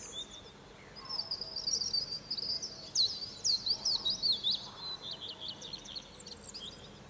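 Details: A European robin sings at dawn from a fir tree. After a quiet start comes a tumbling warbled phrase of rapid zigzagging high notes, rising and falling, then softer trailing twitters.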